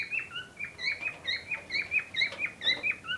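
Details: Cockatiel pair ready for breeding, giving a rapid run of short chirping calls about twice a second, each a bright note with a sliding downward inflection, steady and repeated throughout.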